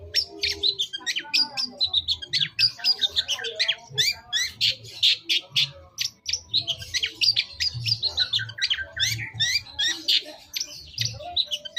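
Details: Long-tailed shrike lure song played to draw an answer: a dense, fast chatter of varied high chirps, squeaks and scratchy notes running without pause, with faint low rumbling underneath.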